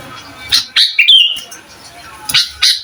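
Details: Sooty-headed bulbul provoking rivals with lively song, suited for tutoring young birds; one clear, rolling whistled phrase sliding downward, followed by brief chattering notes.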